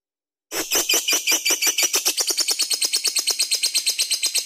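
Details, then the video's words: Lovebird delivering the ngekek trill used to lure other birds into song: a loud, continuous rattle of fast pulses that speeds up over four seconds, dense and grating throughout. "Lovebird Gacor Bagus buat pancingan"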